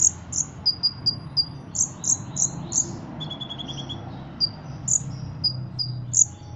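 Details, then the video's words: Competition-trained Ruby-cheeked sunbird kept in Indonesia, song enriched with cricket imitations: quick bright high chirps in series, a mid-clip buzzy cricket-like trill, then more piercing tweets. "Kolibri Ninja Gacor Isian Jangkrik Kapas Tembak Cililin"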